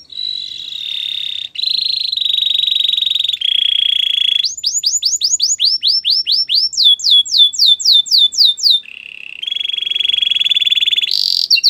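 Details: Belgian canary delivering sustained buzzy rolls, then a brisk run of sweeping whistled notes at several pitches, returning to drawn-out trilled rolls and a final high note.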